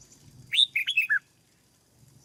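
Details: Caged Red-whiskered bulbul being brought into singing form in Vietnam delivers one rapid phrase of four or five clear, slurred whistles that fall at the end, over a low rumble.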